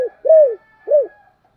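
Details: Spotted dove cooing, used as a lure to get wild doves to coo back; three short arched, mellow coos, each rising then falling, with pauses between them in a quiet setting.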